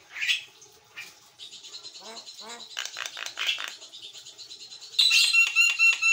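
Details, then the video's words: White-eyed Javan myna singing actively on a master recording: scratchy chatter and a low rattling series, then a loud closing run of rapid ringing, buzzy harmonic notes. "JALAK KEBO MATA PUTIH GACOR"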